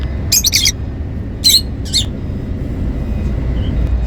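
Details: Happy lovebirds calling: three short bursts of sharp, shrill chirps high in pitch, clustered near the start and middle, over a steady low rumble of background noise.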